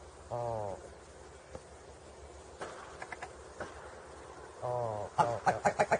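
Willow Ptarmigan giving two low, nasal, croaking calls, then a quick burst of five or six stuttering, cackling notes at the end.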